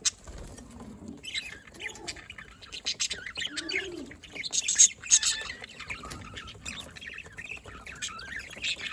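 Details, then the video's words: Budgerigars chirping, recorded 27 October 2023: continuous high twittering warble with rapid squeaky notes and trills, busier in the middle, plus faint low murmurs underneath. "Budgies Parrot Can Talk Chirping Sounds"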